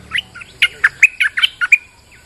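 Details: On a rainy day, a bulbul used as a lure sound gives a lively run of loud, sharp chirps and slurred whistled notes, roughly eight notes packed into one and a half seconds, followed by one faint trailing note.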